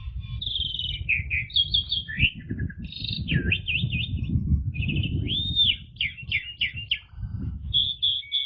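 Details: Asian pied starling song in the 'ngeplong' and 'ngeriwik' style: a varied, fast string of whistled notes, slurred up-and-down sweeps, short trills and an arched whistle, over steady low background rumble.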